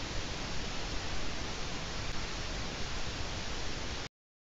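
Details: Steady broadband hiss and rumble like wind or static fill the clip, with no animal calls, ending abruptly in silence.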